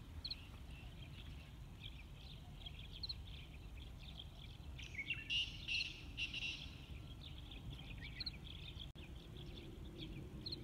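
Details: Sind woodpecker recorded at Minab, Iran, on 15 April 2019: a cluster of sharp, harsh high notes bursts out midway, set among steady scattered chirps, with a male Black Francolin singing in the background and low rumbling noise throughout.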